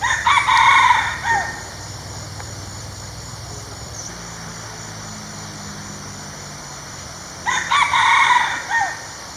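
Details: Red junglefowl in the wild crowing, a male declaring territory or calling females: two harsh multi-part crows about seven seconds apart, quiet background between them.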